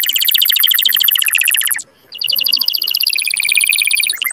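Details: Powerful canary song used to stir mating: bright rapid trill, a short silent break near two seconds, then another fast even rolling trill with a higher whistled line.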